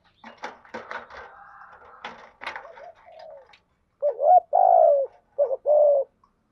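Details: Spotted dove used as a lure bird, cooing in the urging 'thúc gù' style to excite and draw in wild doves. Clattering and rustling noises come first, then four loud, low, hollow coos in about two seconds, the second one longest.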